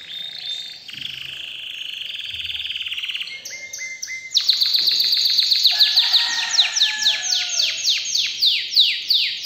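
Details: Canary singing excitedly: a buzzy trill and a few short notes, then a loud rapid series of high downward-sweeping notes repeated several times a second.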